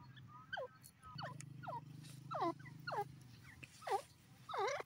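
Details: Grey francolin calling with a run of loud, hooked notes that bend sharply downward, given in a steady series about every half second. A low droning hum sits underneath for part of the run.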